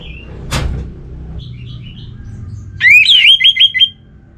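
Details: Orange-headed thrush in a relaxed song. After faint scattered whistles and a single click comes a quick chattering run of about eight sharp, slurred whistled notes that rise and fall. Low background hum throughout.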